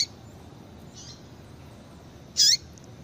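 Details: Female double-collared seedeater calling, a call used to excite males and get them singing. A faint high note near one second, then one loud, brief, high-pitched chirp with a downward tail. Otherwise a quiet background hiss.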